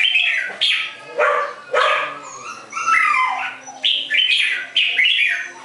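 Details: Red-whiskered bulbul pouring out lively, rapid warbled notes in quick succession, loud and husky, with some phrases sliding downward, and a low steady hum behind.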